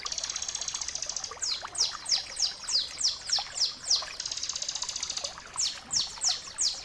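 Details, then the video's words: Bar-winged prinia singing in the continuous 'ngebren' style, used as tutor material for training caged songbirds. Runs of quick, high, downslurred whistles, about three a second, alternate with a steady sizzling high trill. "masteran suara ciblek kristal gacor jernih"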